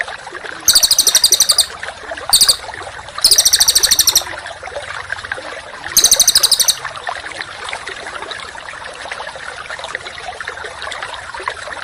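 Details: Rough, rapid 'tembakan' phrases from a songbird in a contest training recording: four short, very high buzzing rattles spaced irregularly, then several seconds of background hiss.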